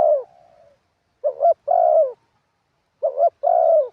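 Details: Spotted dove decoy calling from the ground in the wild-style song. A fading coo tail opens, then two phrases follow, each a quick wobbling double note and a sustained mellow coo that slides slightly downward.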